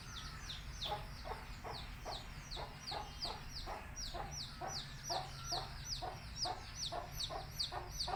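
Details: A brood of country chicken chicks peeping near a mother hen calling them to eat; dense, continuous high downslurred chirps with broader pulsed notes underneath, repeated quickly throughout over a low hum.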